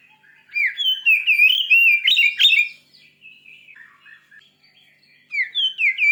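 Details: Oriental magpie-robin giving a fierce song meant to fire up other kept magpie-robins: loud, rich whistled phrases with rapid rising and falling slurs for two seconds, softer twittering, then another burst of bright whistles.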